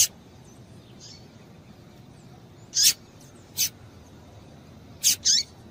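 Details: Female double-collared seedeater calling to excite males, sparse high chirps, an initial note, a descending chirp near three seconds, another shorter one, then a closely spaced pair near the end, with soft hiss.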